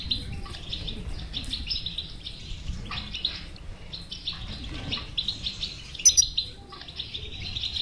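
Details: European goldfinch song in batbata style to make a silent goldfinch sing: softer chattering twitters over low background hum, one sudden bright high trill in the middle.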